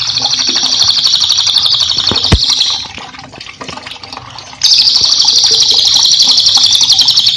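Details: Black-winged flycatcher-shrike giving a very high, rapid, buzzy trilling chatter without a break, pausing about two seconds, then starting again just as fast and shrill.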